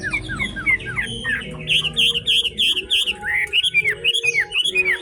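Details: Chinese hwamei of forest-voice type singing in fog, delivering rapid repeated whistled arcs and bouncing slurred notes, fast and varied, loud and close, with a soft low rumble underneath.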